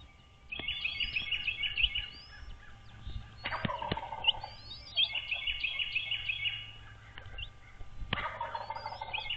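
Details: Wild American bald eagles at their nest on Dale Hollow Lake, a reservoir on the Kentucky-Tennessee line, at 06:39 on 13 March 2023. They give rapid piping chitter series in three bouts, mixed with harsher lower calls and faint thin whistles from other birds.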